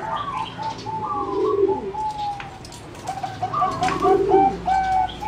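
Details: Competition-bred singing zebra doves in a flight cage, recorded 30 April 2014: bursts of quick staccato cooing notes, some rising and some falling, repeated rapidly in two phrases separated by a short pause. Softer chirps from other birds are heard behind.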